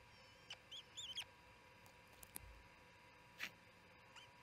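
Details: Evening feeding at the Charlo osprey nest, June 18, 2018, 7pm: loud high arched chirps in a quick cluster, then a single sharp chirp and a fainter one, with clicks and low steady hum.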